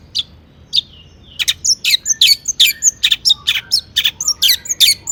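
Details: Long-tailed shrike singing persistently, its song rich in borrowed material and meant to prompt other shrikes to answer: sharp, scratchy chips and short whistles come fast and unevenly, mixed with brief rising and falling tones.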